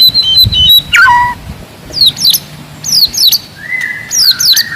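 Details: Forest white-rumped shama singing loud, aggressive song meant to provoke rivals: clear whistled phrases, high thin notes and slurred falls separated by short pauses, with later loud downward-sweeping whistles and a long level whistle.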